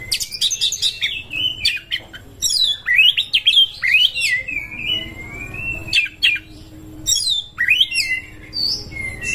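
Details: Oriental magpie-robin singing a long song while seeking a rival to fight: sweeping upward whistles, bursts of high chirps and a long drawn-out whistled note, over steady low background noise.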